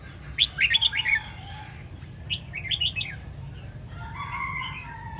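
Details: Caged red-whiskered bulbul of the Sông Kon strain, Quảng Nam, singing "ép giọng" training song for young birds. Two loud runs of rapid, sharp, descending warbled notes are followed by a rooster crowing in the background.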